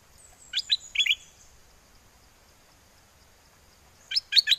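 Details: Mate-calling wild-style song of a caged red-whiskered bulbul in Chana, Songkhla, Thailand, during windy weather: a burst of quick sharp chirps, a pause of about three seconds, then another fast run of three or four chirps.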